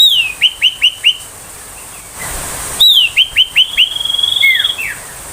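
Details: Ashy tailorbird song used to tutor magpie-robins and young tailorbirds: a high note falling into four or five quick identical chirps, repeated after a pause, then a long level whistle and a falling slur.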